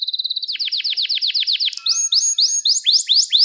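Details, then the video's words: Gloster canary song used to arouse males: a fast stutter of short notes, a run of repeated downward-sweeping chirps, then slower rising whistled phrases about three per second. "Gloster Kanarya Eğitim Sesi Canlı Görüntü | Gloster Kanarya Ötüşü Erkek Huylandırma Ve Kızıştırma"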